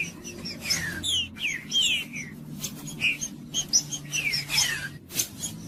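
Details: Green-winged saltator song for stimulating other birds to sing: short falling whistles in small clusters, mixed with many thin high chirps and clicks from other birds.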